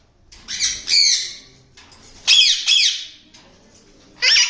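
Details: Harsh, grating screeches from a yellow ringneck parakeet breeding pair come in pairs of quick squawks with pauses between, the last a short sharp burst.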